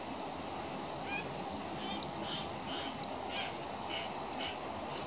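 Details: One of three young currawongs in trees around a house, all begging for food, gives short, harsh, rasping squawks, about eight in five seconds, repeated insistently over a steady background hiss.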